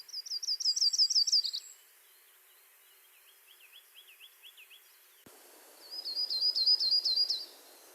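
Yellow-rumped Warbler song: two loose, high trills of quick repeated notes, each about a second and a half, with a softer, lower warbling run between them.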